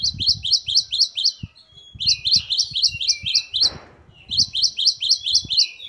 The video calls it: Gelatik Batu Gacor Variasi Mewah. Great tit. Singing birds.